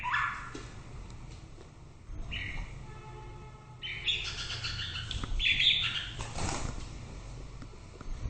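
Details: White-rumped shama singing: faint scattered notes at first, then a louder burst of rich whistled and chattering phrases midway, with constant low background noise throughout.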